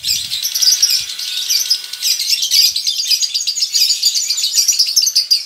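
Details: Male lovebird kept in a colony giving a long ngekek, a sign of breeding arousal and growing mental steadiness: a continuous, rapid, high-pitched chattering trill that pulses without pause for over five seconds, with fainter lower ticks beneath.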